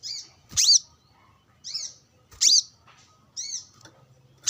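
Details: Brown-throated sunbird calling to rivals while sunning, with wild birds around: loud piercing high chips alternating with softer, thinner notes, roughly one every second.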